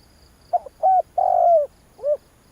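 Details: Spotted dove, call for exciting a decoy bird: a short stuttered note, a flat hoot, a long level coo, then a final short falling note, low and mellow.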